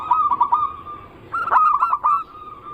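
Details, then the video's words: Lure song of a zebra dove: three short soft coos, a pause, then a louder stuttering, rolled phrase ending in a sustained flat tone. "Pancingan burung perkutut paling ampuh penarik Bunyi semua jenis burung perkutut Anggungan"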